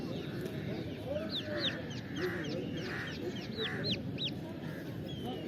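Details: Rhode Island Red chicks, 20 days old, in a flock: several give thin, high, downward-slurred peeps at an uneven pace, over a murmur of lower voices and background noise.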